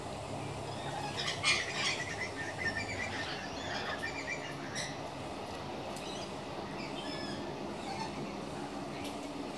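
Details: Rainbow lorikeets bathing in a dish on a veranda: harsh, scratchy squawks and chatter cluster around the second and fourth seconds, then thin out to sparse chirps over a steady low background rumble.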